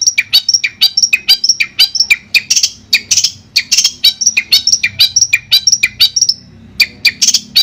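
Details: Madura long-tailed shrike in a clean master recording, pouring out quick high chirps and downslurred whistles in a fast, uneven stream, roughly two notes each second, with no other sound.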